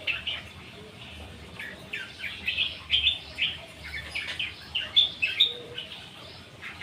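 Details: Long-tailed shrike (pentet) singing vigorously in reply to another bird's lure: scratchy, varied chirps and slurred notes in an irregular, rolling stream with occasional piercing high whistles.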